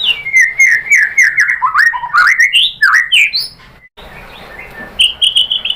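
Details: White-rumped shama lure song used to provoke other shamas into answering and singing: rich, fluid whistled phrases that slide up and down, a brief break, then thin high repeated notes.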